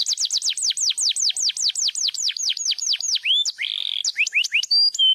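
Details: Crested canary singing loudly and eagerly: rapid series of downward-sweeping whistled notes, about four per second, then a buzzy held note and varied clear whistles and trills at the end.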